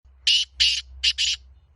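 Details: Black francolin (kala teetar), Laka antique breed, calling in harsh, buzzy bursts: two spaced notes, then a close pair, over a quiet low hum.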